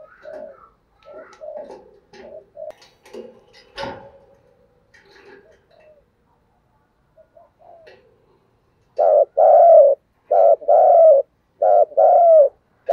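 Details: Spotted dove giving thúc gù giọng thổ coos, meant to draw in wild doves. Faint mixed bird notes and clatter open the recording, then after a pause four loud paired coos come in quick succession.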